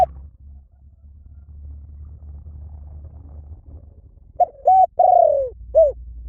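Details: After a stretch of low background rumble, a spotted dove gives a short run of low coos: two clipped notes, a longer falling coo, then one more brief note.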